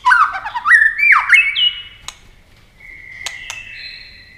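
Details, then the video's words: Competing white-rumped shama singing at speed, swooping whistled phrases and twisting slurs giving way to long, steady high whistles, with a couple of sharp clicks. "chòe lửa hót đấu tốc độ"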